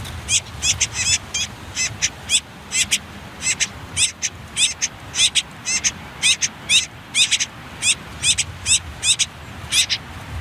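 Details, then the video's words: Nestling common whitethroats, last day before leaving a nest by a river under reed and nettle cover, give a steady stream of sharp, scratchy high chirps, several per second, with barely any pause throughout. "Птенцы последний день в гнезде Славка серая, Sylvia communis"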